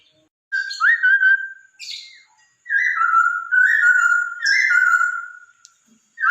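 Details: Masked laughingthrush (poksay Hongkong) song, played to lure a pet bird into singing: loud clear whistled phrases, slurred and descending, in three bursts separated by short pauses, with faint higher buzzy notes.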